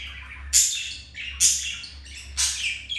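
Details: Caged budgies during mating; three loud, harsh, broadband chirps about a second apart, each trailing off into a softer warble, with low background hum.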